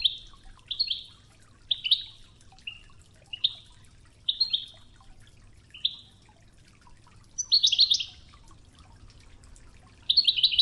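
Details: European goldfinch in the Wedani song style on a training tape with murmuring river water: a series of short, bright, upswept twitters every second or so, then richer buzzy twitter bursts, over steady flowing water.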